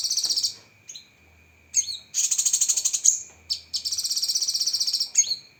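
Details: Sharp 'tembakan' song of a cucak kinoi used as tutor material: repeated high, rapid rattled trills, some with upward-swept starts, in bursts of about a second, with short gaps and a faint constant whine.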